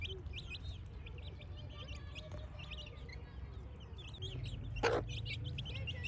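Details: Baby chicks playing, their bright, high peeping repeated in quick bursts of about two or three per second, briefly broken by one loud knock near the end, over low hum.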